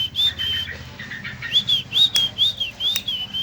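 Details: Young long-tailed shrike giving high whistled notes that rise and fall slightly, repeated about twice a second, with one sharp click partway through.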